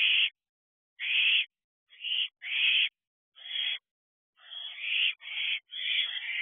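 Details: Young owls preening each other inside a nest box at night, 3:05 am, 4 July 2023, in hot weather; rasping hiss-like screeches, short at first, then longer and run together near the end.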